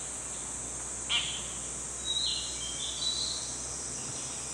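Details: An Oriental dollarbird in a beech forest gives a few short, harsh, rasping notes about a second apart over a steady high insect drone.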